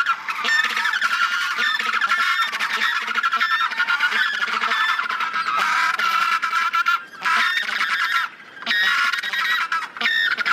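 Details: Erect-crested penguins (Eudyptes sclateri) bray in harsh, honking bursts that overlap almost without a break, dropping out only in two brief pauses.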